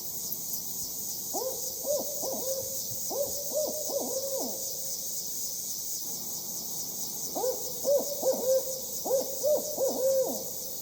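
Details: A male Barred Owl gives two rhythmic who-cooks-for-you hoot phrases, each cutting off abruptly at the end without the female's vibrato, the lack of which marks it as male, over a steady high insect hiss.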